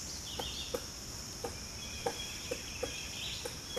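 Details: A female Pileated Woodpecker pecks at a rotten branch for breakfast, clearing moss and dead wood to reach probably ants, giving about eight dull, irregular knocks in four seconds over a steady high insect drone; a male drums nearby.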